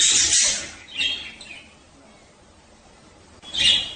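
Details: Male budgerigars chirping at breeding time to stimulate mating: a loud burst of high, grating chatter, a softer squeak, a quiet pause, then another bright chirp.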